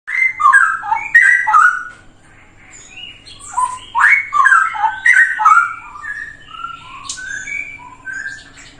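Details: Straw-headed bulbul, known locally as cucak rowo, singing a training song for other birds: loud, rich bubbling warbles and sliding whistled phrases in fast, irregular bursts, with short pauses between phrases.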